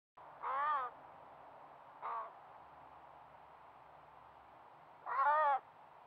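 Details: Young crow begging its parent for food beside a brook in Nova Scotia, Canada: three loud, harsh, nasal calls with a wavering tone, spaced a few seconds apart, the middle one short, over a quiet background.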